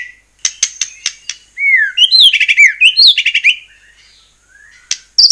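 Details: Energetic white-rumped shama song used to provoke other shamas into singing: a few sharp clicks, then a loud sequence of slurred descending whistles and rapid rising trills, followed by a quiet pause and another high note.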